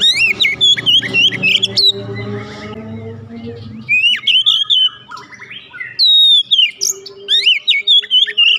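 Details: Oriental magpie-robin, a caged home bird, singing as therapy to coax a quiet bird into song: rapid varied whistled phrases with sharp down-slurs and trills, a soft low droning tone through the first half.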